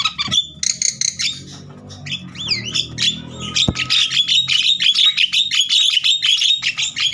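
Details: Agitated Javan myna singing vigorously, used to stimulate other mynas to sing: harsh squawks and rapid chattering notes with upward-swooping whistles, settling into a fast, evenly repeated chatter of about three notes per second.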